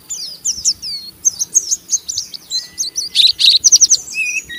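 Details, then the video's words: An Oriental white-eye chatters roughly, luring a rival white-eye to join in: high scratchy twitters and slurs, then loud rapid chips clustered near the end, with a faint steady tone underneath. "Burung Pleci Ngeriwik Gacor merangsang Pleci Bahan ikut Ngeriwik Sampai Buka paruh"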